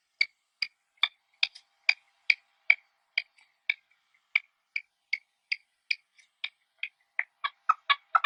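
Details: Short clipped chirps from partridges in natural habitat, each a sharp bright note, repeated roughly every half second with small gaps, growing closer and fuller in the final seconds.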